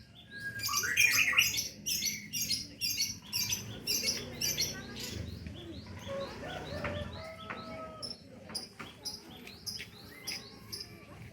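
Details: Wild cinereous tit in active song: bright, clipped high notes repeated in quick, steady series, loudest early, then scattered chirps over faint low background noise.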